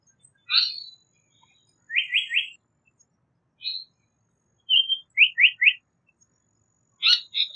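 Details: Japanese paradise flycatcher singing: a high squeaky note, then quick groups of three rising chirped notes separated by short pauses, with a short single note in between; a clear, quiet background.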